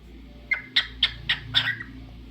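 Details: Pet cockatiel singing: five short, bright chirps spaced about a quarter second apart, each a quick high note, over a faint steady background hum.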